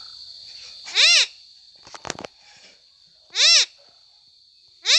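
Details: Pet parrot kept at home, giving loud harsh arched squawks about every two and a half seconds, with a clicking knock between calls and a steady high electronic whine behind.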